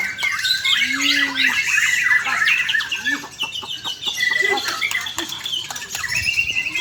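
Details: White-rumped shama in continuous, fast varied song: sharp whistles, chattering trills and upslurred notes, interspersed with low sliding whistles and clicks.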